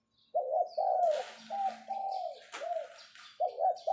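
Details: Captive decoy spotted dove calling 'pho pho' to summon: deep, burry coos strung in an uneven series with a short break before a final pair. Scattered higher chirps and a faint click are mixed in.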